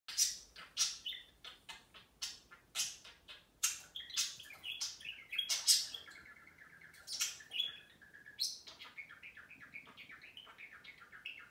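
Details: Two pet budgerigars in cages take turns chattering at each other; a rapid mix of sharp clicks, bright chirps and buzzy warbled phrases continues throughout.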